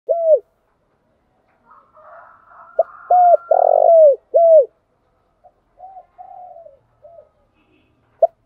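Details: Spotted dove lure song used to attract birds for trapping: a short note, then three or four clear cooing notes near one pitch, including a longer rolling coo, followed by softer quieter coos.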